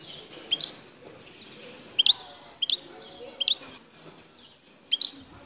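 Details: Wild Algerian goldfinch recorded at Bouteldja, El Tarf, Algeria, giving short bright double chirps spaced about one second apart against faint low background noise.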